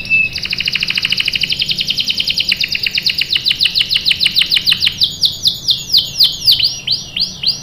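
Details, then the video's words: Canary singing a long roll used to coax other canaries into song: a rapid trill of many quick notes that gradually slows into broader swooping chirps. "PANCINGAN KENARI GACOR bikin NYAUT ikut BUNYI NGEROL | CUIT CUIT | CANARY SINGING"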